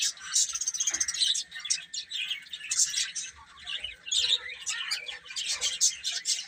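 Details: Chicks feeding and playing give a busy flock of high peeps that rise and fall in loudness, with sharp individual chirps standing out against the continuous twittering.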